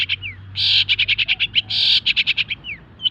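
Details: Caged long-tailed shrike after its moult, recorded for training other birds: loud, harsh buzzy bursts followed by rapid chattering series of clipped notes, plus a few thin downslurred whistles over a low background hum.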